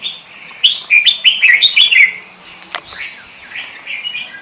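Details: Kutilang, or sooty-headed bulbul, singing pikat gacor lure song: a quick string of about eight bright, bouncing notes in under two seconds, then a sharp click and softer trailing whistles.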